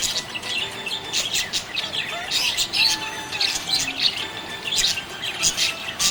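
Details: Happy budgerigar chirping: dense, fast bursts of high twittering and short squeaky notes, with a few thin whistled slides, running continuously.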